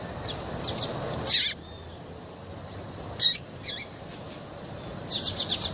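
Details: Female double-collared seedeater giving calls meant to excite males into song; a few isolated high chirps and slurred notes separated by long quiet gaps, ending in a rapid run of five or six sharp notes.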